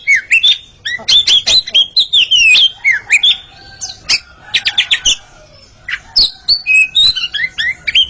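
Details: Oriental magpie-robins, a pair dueling in song, pour out a lively series of clear whistled slurs and upward flicks, interrupted by clusters of sharp clicking notes and a short quiet gap before the whistling returns.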